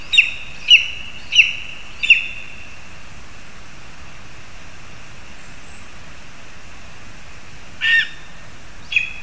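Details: Lesser spotted eagles at a nest in a spruce in Zemgale, Latvia, while a frog is brought for the young; four sharp, high yelping notes about two-thirds of a second apart, then two more after a pause, over a faint steady hiss.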